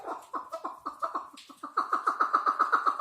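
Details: Chukar partridge's rapid chattering series: quick descending chuck notes, about four per second, that grow louder and more even in the second half.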